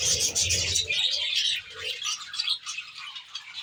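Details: Aviary flock of budgerigars, many birds calling together: busy high chirps and warbles that thin out after the first second and a half, with a few lower notes and a soft low hum early on.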